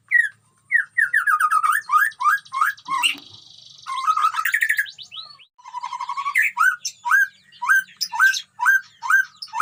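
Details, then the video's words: White-rumped shama singing in a colony breeding cage with wild animals about: a long run of repeated hooked whistles, about three per second, broken by a buzzy chattering passage, then the hooked notes resume. "murai gacor di kandang koloni"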